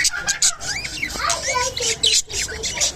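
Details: Mating Japanese budgerigars warbling in a busy jumble of squeaks, rising and falling slurred whistles and sharp clicks, with a faint low hum behind.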